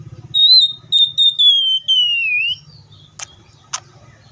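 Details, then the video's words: Oriental magpie-robin singing: a long, clear, high whistle broken into short pieces that slide steadily lower. Two sharp clicks follow. A quiet low hum runs throughout. "THIS COPSYCHUS SAUCARIS BIRD IS POWERFUL TO MAKE YOUR OPPONENT'S EMOTIONS!"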